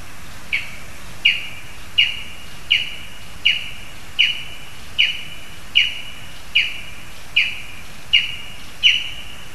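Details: Lesser spotted eagle in a spruce in Zemgale, Latvia, at the nest with a frog for its chick: a long series of about twelve clipped high yelps, evenly repeated roughly every 0.7 seconds, against constant outdoor hiss.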